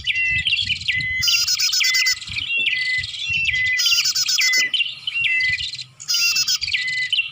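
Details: Bar-winged prinia lure sound for drawing birds in: fast chirping phrases with flat whistled notes are punctuated by loud, strident bursts about every one and a half seconds. The calling is nearly continuous.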